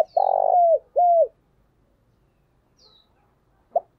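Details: Decoy spotted dove calling: a loud rolling purred coo that slides down, a second short arched coo, silence, then one brief coo at the end.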